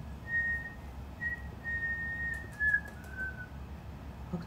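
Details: A pet cockatiel learning a song note by note, checking the pitch of each note, whistles a halting tune of five or six clear, level mid-high notes, the last few dipping slightly, over a low indoor hum.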